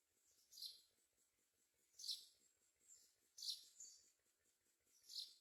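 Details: Mynas bringing food, including crickets, to their babies; four loud, sibilant rasping bursts about one and a half seconds apart, followed by softer echoes, above a low ticking pulse.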